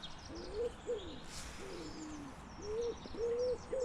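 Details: A distant wood pigeon coos in mixed woodland at Walton Park near Preston, giving soft, low, hollow notes in a steady rhythmic phrase, with faint high chirps from other birds and a brief rustle.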